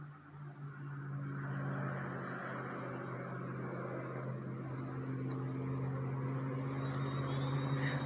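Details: A steady low engine drone, like a passing vehicle or motor, with no animal sounds heard.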